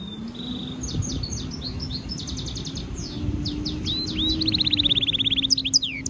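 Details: Training stimulation song from a European goldfinch mule hybrid: scattered high twitters build into a long rapid buzzy trill with a few slurred whistles, over a steady low hum.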